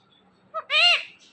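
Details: Indian ringneck parakeet talking, saying a short one-syllable word with a brief soft lead-in note followed by a louder, harmonic, slightly nasal syllable; quiet background.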